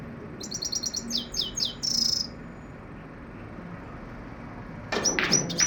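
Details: Common Iora with a fast, high chattering trill, several downslurred chips and a short buzzy note, then a pause before a burst of louder, broader chirping and noise at the end.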